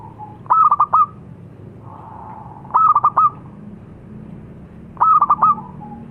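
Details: Zebra dove of the local perkutut type repeating a crisp four-note cooing phrase three times, roughly every two and a half seconds, with a soft hum between phrases over a low rumble.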